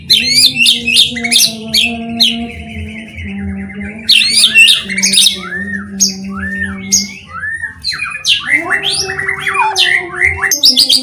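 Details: White-rumped shama song used as a lure to make other shamas sing: rapid bursts of high chirps and sweeping whistled notes in dense phrases. A steady low hum with evenly spaced overtones runs underneath throughout.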